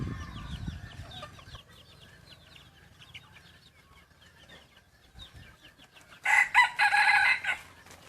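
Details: Faint twittering of small birds fills the first seconds. Then a young yellow-lined decoy rooster of junglefowl-cross breeding lets out one loud, rough crow lasting over a second near the end.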